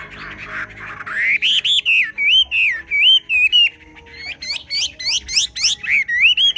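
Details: A Chinese hwamei sings in xòe style, building from a rising whistle into looping wavy phrases and fast repeated crisp notes, steady and energetic throughout.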